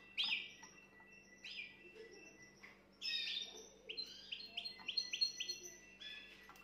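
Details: Canary singing to stimulate a female: scattered high chirps and whistled notes, then a quick run of five or six rising, repeated syllables near the end, with quiet indoor background.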